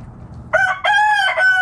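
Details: Rooster from a backyard chicken flock foraging in the morning, crowing loudly in a harmonic cock-a-doodle-doo: a short first note, then a long sustained middle part and a final drawn-out tone.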